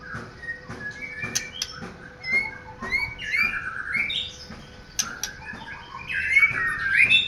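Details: Captive white-rumped shama singing a rambling series of clear rising and falling whistles and short high chips, growing louder toward the end, with a steady faint electrical hum behind.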